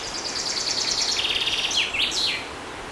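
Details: A single chaffinch song phrase: rapid high chipping notes slide into a lower even trill and finish with a swooping, emphatic end flourish, with broadband environmental hiss throughout.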